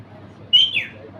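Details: Talking parrot mimicking the phrase "me too": one clear, high, whistled two-part utterance, a level tone sliding into a falling one, over faint low background hum.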